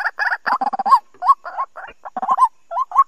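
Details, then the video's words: White-breasted waterhen trapping lure call, 2020 season, with loud stacked harsh grunts followed by separate upslurred notes and short chattering phrases. "Tiếng Quốc Bẫy. Cuốc chuẩn bao dính mùa 2020"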